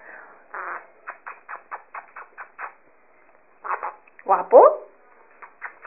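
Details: A pet monk parakeet talks in a raspy, muffled voice, repeating short word-like phrases such as "guapo", with a sharp rising squawk near the end.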